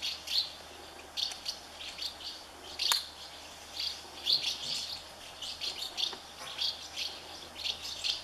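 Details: Colony of House martin nests with hungry chicks fed by their parents; bursts of sharp high chirping and twittering recur every second or so, with a short click near the third second.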